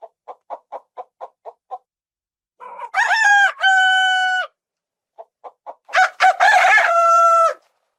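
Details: Rooster, a farm bird using its voice for territorial marking and communication: a string of quick clucks, a drawn-out two-part crow, more clucks, then a second long crow on a clean, quiet background.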